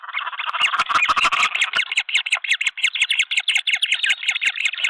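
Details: Green wood hoopoes at a nest cam in Pretoria, South Africa, 23 February 2024, where a flock helps raise three chicks: harsh, rapid, rhythmic cackling from several overlapping voices, a continuous grating chatter with sharp clicks.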